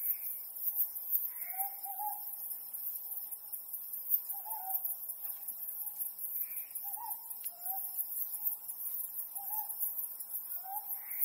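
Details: Ryukyu scops owl calling at night under the harvest moon: short low hooting notes with a brief upward inflection, repeated roughly every two to three seconds, somewhat faint against a steady high insect-like hiss.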